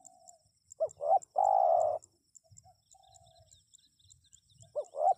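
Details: Spotted dove, played to prompt replies from wild birds. A full phrase of two clipped hooked notes and a long rolling coo, then the next phrase begins; soft high ticking continues in the background.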